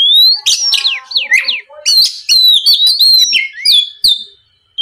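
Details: Lure song of an Oriental magpie-robin meant to make others sing back: rapid cascading whistled notes sliding down, then a busy run of chirps and warbles that fades out at the end.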